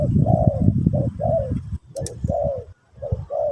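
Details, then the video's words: A spotted dove in pesom or kacuk style song, part of teaching a new bird. Repeated hollow coos run over a rumbling background, broken by a brief sharp click. "Burung Terkukur Pesom/Kacuk...Sesi Mengajar Burung Baru"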